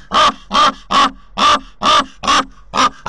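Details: A common raven visits its nest in Corbera de Llobregat, Barcelona, recorded by a nest camera. Seven harsh, hoarse calls are evenly spaced, with faint softer notes between some of them.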